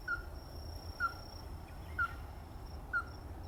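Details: Evenly spaced, abrupt notes from a ruddy-breasted crake, four in a row roughly one second apart, with a thin high-pitched hum and low rumble behind.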